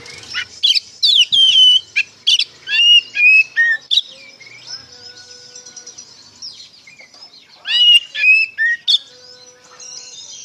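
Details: Oriental magpie-robin singing in ngeplong style to lure untrained young birds into answering: a dense burst of whistles and chips for four seconds, a quieter gap with faint tones, then another brief burst.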